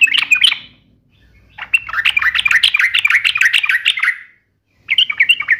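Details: Sooty-headed bulbul song in 'uplik nembak ropel' style: a short squeaky phrase, a quiet gap with faint low rumble, then a long rapid chattering run of bright notes and a closing burst.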